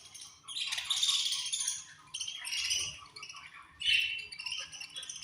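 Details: Many budgies chattering at feeding time in their colony, loud bursts of high warbling chirps and squawky twitters coming in waves about every one to two seconds.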